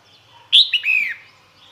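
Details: Female red-whiskered bulbul calling males to come: a single clear phrase, starting with a high bright note, then a short chirp and a longer whistled slur dropping in pitch, over quiet background.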